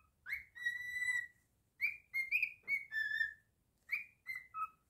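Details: Singing pet cockatiel: a rising slur into a long held whistle, then a quick series of bright rising and falling notes, ending with a short descending phrase.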